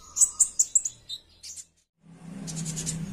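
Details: A caged sunbird, after five days on a high-dose nectar breeding booster, gives a louder, more insistent fighter-style song: four quick, very high chips, a pause, then a thin, buzzy high trill over a low hum.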